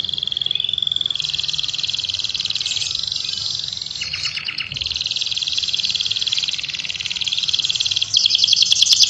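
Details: Canary delivering a long, fast, continuous high trill with Orange-headed Thrush imitations, shifting texture several times and brightening near the end into sharper repeated chips.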